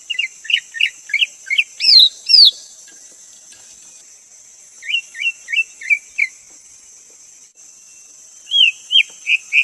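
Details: Greater green leafbird singing in three bursts of quick, bright whistled notes. Some are short two-part chirps and some are rising and falling sweeps, with pauses between bursts and a constant thin high hum behind.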